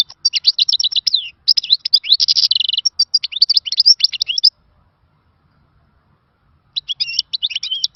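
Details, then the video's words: Khalawi song from a European goldfinch: a continuous run of quick, bright twittering with a buzzy trill in the middle, a pause of about two seconds, then another twittering phrase. "تغريد خلوي مفقود من الزمن الجميل يخدم بالميزونج jilguero bird"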